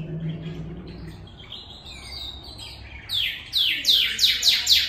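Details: Singing northern cardinal imitating a canary: soft scattered warbling notes give way to a rapid series of strong, steeply falling whistled slurs, about eight in under two seconds.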